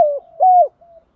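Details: Spotted dove coo used to lure wild doves: a short low note, a pause, then a louder sustained hollow coo trailing into a faint soft tail.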